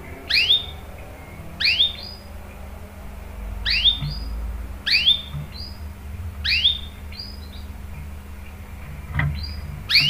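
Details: Canary used as a lure to prompt other canaries to answer and sing: a series of six sharp, swept chirps, each followed by short high whistles, repeated roughly every one and a half seconds.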